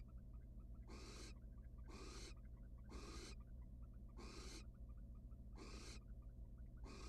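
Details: Wild barn owl pair in a research nest box, the male empty-handed and the female giving him her back; rough snoring hisses sound about every second, evenly spaced, with faint clicks and a low electrical hum.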